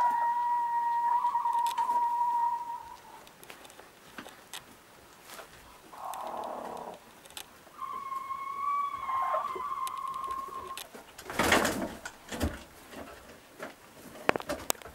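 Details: Tiny rooster giving two long, steady, tonal crows about three seconds each, separated by quieter rustling, with a brief burst of broadband noise and scattered clicks afterward.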